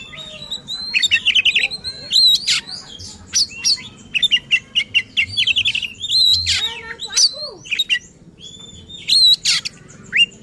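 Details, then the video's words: Oriental magpie-robin in full agitated voice, song used to rouse other magpie-robins: dense, rapid bursts of high chirps, whistled slurs and harsh notes packed together for ten seconds, with brief gaps. "Burung Kacer Gacor Ngotot dan Emosi Suara Menggila Bongkar Isian."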